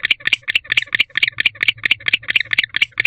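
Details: Barn owl male in an owl box chirping to draw a female, courtship season, October 2023 evening; brisk sequence of harsh, clipped chirps at a steady two-per-second rhythm.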